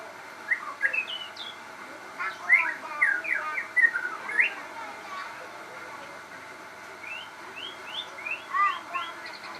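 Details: Crossbred shama singing vigorously: bursts of bright, quick whistled notes, many rising sharply, in phrases around the middle, then a pause before a second run of upward-slurred whistles near the end.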